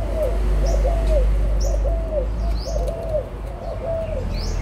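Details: Adult Spotted Dove cooing, birds from Malaysia and Thailand, 16 March 2022. Mellow, bowed hoots come in a brisk regular run, with short thin chirps from other birds and a low steady rumble underneath.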